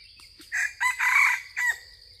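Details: Junglefowl of yellowish plumage, lured in with a decoy, crowing loudly: a short opening note, a brief second burst, a long drawn-out middle phrase, then a clipped closing note, all over a constant high-pitched insect drone.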